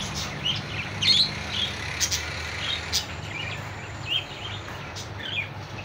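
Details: Budgerigar calling a rival: scattered short high chirps and brief warbled notes over a steady low hum and background noise.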